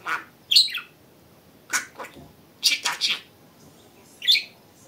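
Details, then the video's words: Talking budgerigar at home producing scattered bursts of reedy mimicked words and sharp high chirps, separated by short silences. "Говорящий попугай Кеша 🥰 Волнистый попугайчик разговаривает"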